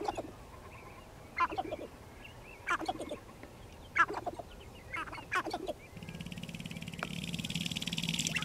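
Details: Sharp-tailed grouse at a lek near Regina, Saskatchewan, Canada, on 14 April 2012 give short, harsh cackling and cooing bursts about every second or so. A steady low hum and hiss, perhaps wind or an engine, sets in near the end.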